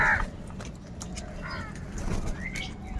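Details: A large flock of crows crowing and crying: harsh, hoarse caws burst out at the start, again near the middle and toward the end, over a steady low rumble of background noise.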